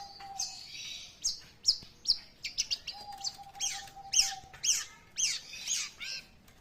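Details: Long-tailed shrike in lively song: harsh, buzzy, downslurred high notes repeated about twice a second, mixed with scratchy chatter, over a thin steady tone that comes and goes.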